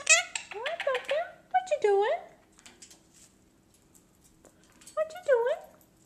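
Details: A 3-year-old male Lutino Indian ringneck parakeet chatters in a high, clipped, nasal voice, imitating human words in quick bursts, pausing before a final short phrase, as its owner talks about kisses.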